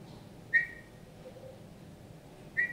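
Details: Indoor Eurasian bullfinch, a rescued bird kept after being found frozen in snow in January 2019, giving two soft, short, pure whistled notes about two seconds apart against quiet room hum.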